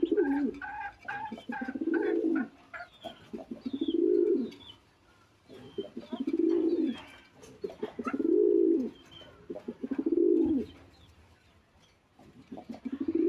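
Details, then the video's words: Balcony-kept domestic pigeons cooing back and forth, deep rolling bursts about every two seconds, each a rapid throb that rises and falls, with soft clatter and brief chirps between bouts indoors. "দেখেন কবুতর গুলা কি করছে কবুতর গুলা ডাকাডাকি করছে স্বরে একটু শোনেন আপনারা"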